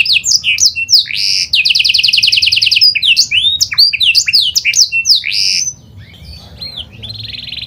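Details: Panda canary lure song meant to set other canaries singing: fast varied chirps, a steady pulsed trill lasting over a second, dense swooping whistles, then a softer buzzy roll as the phrase fades.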